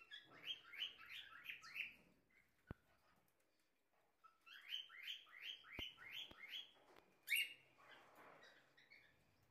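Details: Captive pair of blue-black grosbeaks from a breeder in Belo Horizonte, Minas Gerais, tending their chicks; rapid series of buzzy rising chirps in two bursts, with sharp clicks and a louder squeak near the end.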